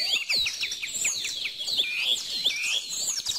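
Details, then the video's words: Several birds sing at once in a dense chorus of high, quick chirps and short whistled slurs, many sweeping up or down, overlapping continuously with faint ticking sounds underneath. "bird song"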